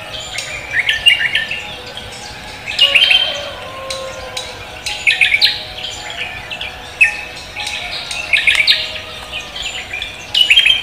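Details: Vigorous morning singing from a cucak kombo leafbird: dense bursts of sharp chirps and whistles every second or two, mixed with twittering.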